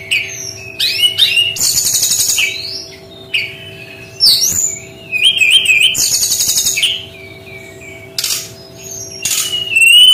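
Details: Brown-chested jungle flycatcher pouring out a varied 'tembakan'-style song: fast warbled trills, upslurred whistles, and harsh rattling bursts alternating over ten seconds, with brief pauses between phrases.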